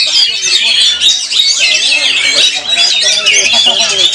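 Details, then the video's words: Oriental magpie-robins (kacer) at a singing contest, where the featured bird finished as champion: many sing over one another in a dense, continuous wall of high, rich whistles and scratchy chatter, with faint voices beneath. "TAMPIL MEMUKAU KACER PL MAMPU MEMBIUS JURI YANG BERTUGAS"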